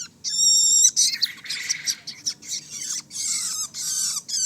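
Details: Long-tailed shrike chick calling with harsh, hoarse screeches, the first a clear tonal squeal, then longer raspy outbursts running into one another.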